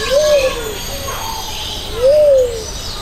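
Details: Luzon bleeding-heart (Gallicolumba luzonica) at Jurong Bird Park gives two soft, low coos, each a brief rising-then-falling hoot about two seconds apart, over a steady background hum.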